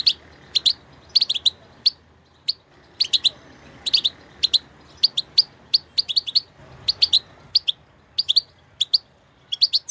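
A goldfinch sings bright, tinkling twitters, quick high clusters of notes with brief pauses, over faint low background noise.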